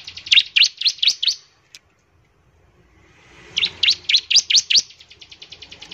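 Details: Bar-winged prinia in full song, used to draw other prinias into singing: two bursts of about five loud, high, sharp chirps each, the second trailing into a fading rapid ticking, separated by a silent pause.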